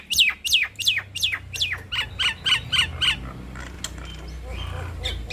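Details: Nias hill myna duet: a run of loud whistled notes, each dropping sharply in pitch, about three per second, then fading into faint calls over a low rumble.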